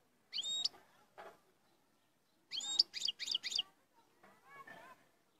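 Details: European goldfinch singing strongly: short bursts of bright, twittering chirps, opening with a sweeping note pair, then a quick cluster of four sharp notes around midway and a fainter chattering phrase at the end, with quiet pauses between bursts.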